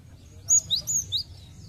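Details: Brief Cinereous tit phrase from a lure recording meant to get birds singing: four clear, high whistled notes, alternating high and slightly lower, over a soft low background hum.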